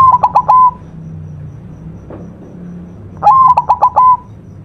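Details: White zebra dove singing a lively masteran (master) song: two clear cooing phrases, each a rising opening note broken into quick stuttering pulses and ending in a held, level coo, separated by about two and a half seconds of low background hum.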